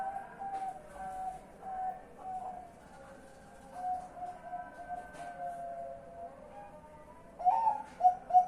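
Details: Zebra dove giving its night call before roosting, recorded on 10 March 2021, a series of low soft coos about once a second over a constant steady drone, ending in a louder burst of rolling coo notes.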